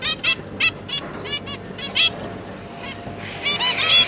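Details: A zebra finch pair with three juveniles, recorded 1 October 2022 while the parents busily feed their young. Short nasal, honking calls come several per second in bursts, with a busier chorus of calls at the end.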